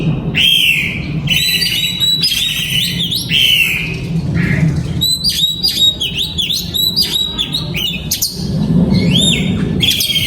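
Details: Aviary-kept oriental magpie-robin sings varied whistled phrases, swoops and rapid chirped series, with a low rumbling hum in the background.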